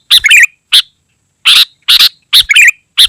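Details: Sooty-headed bulbul in full voice: rough, explosive notes paired with quick liquid warbled phrases, repeated in tight succession.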